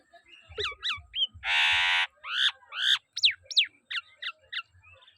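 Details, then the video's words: Pet common hill myna addressed by its owner; repeated paired downslurred notes, a loud harsh rasping squawk, then quick falling whistled notes in a rapid irregular string, with low thumping sounds beneath. "কথা বলা ময়না পাখি"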